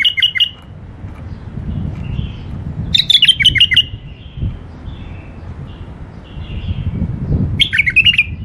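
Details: Tame caged bulbuls singing sweetly: three bursts of quick, chirpy, warbled notes near the start, middle and end, separated by low rumbling background noise.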